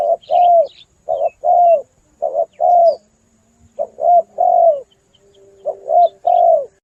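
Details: Spotted dove call played as a hunting lure: repeated groups of short and long mellow coos, the longer notes dropping in pitch, with uneven pauses and faint distant bird chirps.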